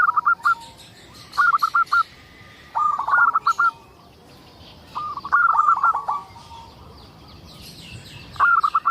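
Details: Singing local zebra dove used as a lure for other zebra doves: repeated bursts of fast, rattling cooing notes, roughly every one and a half seconds, over faint high chirps from other birds.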